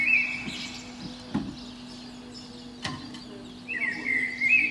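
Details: Eurasian blackbird in a pine below a window on a spring morning: a brief fluted note, then quiet broken by a few knocks and clicks, before a renewed whistled phrase with a twittering ending; low hum throughout.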